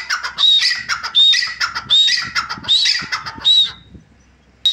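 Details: Grey francolin calling loudly at close range: harsh, ringing phrases with a sharp whistled note, repeated roughly every second in a rhythmic series, then a pause before a fresh call starts.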